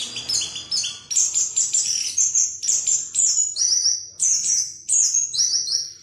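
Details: Orange-headed thrush (Geokichla citrina) pours out an unbroken run of high, sweet whistled phrases, quick and varied, with slurred and trilled notes; continuous song used as a lure to provoke a rival bird into singing openly.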